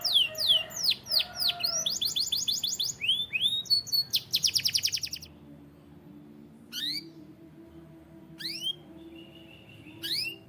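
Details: White canary singing: a burst of fast rolling trills and runs of repeated high, sweeping whistled notes for about five seconds, then a quieter stretch with scattered single rising chirps every couple of seconds over a faint low hum.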